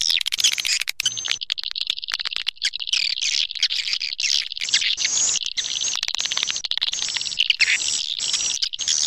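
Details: Many swiftlets twittering together on a suara tarik lure track: a dense, shrill chorus of overlapping high chirps and thin whistles with fast clicking pulses.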